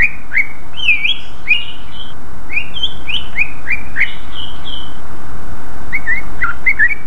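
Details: Loud, lively greater green leafbird song meant to draw a reply from other leafbirds: jumbled chirps and drawn-out higher whistles, a short lull midway, then a fresh cluster of quick twisting notes.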